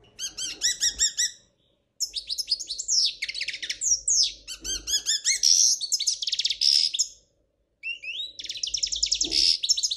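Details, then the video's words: Error-free song of a Spanish royal goldfinch: a quick stuttering opening series, then dense tinkling twitters and buzzy trills in long phrases separated by brief silences. "تغريد الحسون الاسباني الملكي خالي من الأخطاء"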